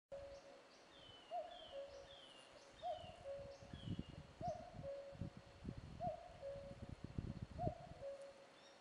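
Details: Common cuckoo giving its two-note cu-coo, a higher note dropping to a lower one, five times about every one and a half seconds, with faint high chirps from other birds and low rumbling background noise.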